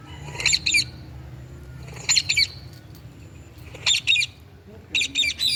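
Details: Indian ringneck parakeet screeching in four separate bursts, each a harsh, rasping double or triple squawk, spaced roughly one to two seconds apart.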